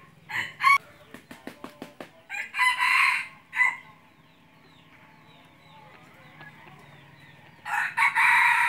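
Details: A red junglefowl used as a hunting decoy crows in harsh, segmented bursts, split into two crows several seconds apart. Between them comes a quick series of sharp clicks or taps.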